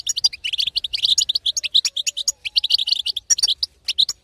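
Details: Female European goldfinch betbeta meant to excite a quiet male: continuous, busy chatter of high tinkling notes, packed closely together with barely any breaks.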